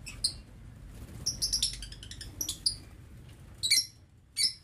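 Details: Lovebirds in an aviary cage, recorded in November 2022: sharp, high chirps and squeaks in scattered bursts, some clustered in quick runs, with quiet gaps and low background hum between.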